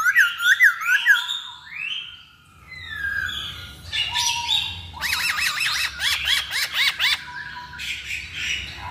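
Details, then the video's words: Masked laughingthrush song played as a lure: a fast series of bouncing looped notes, softer rising whistles, a brief low tone, then a rapid rhythmic run of repeated wavering notes. "Pancingan Poksay Hongkong"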